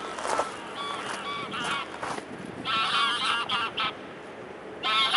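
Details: Young female swan, nearly a year old, greeting a familiar person at Blaues Wunder, Dresden, on a rainy-then-sunny 24 April 2016 afternoon; nasal, honking calls in repeated short bursts, with low background chatter.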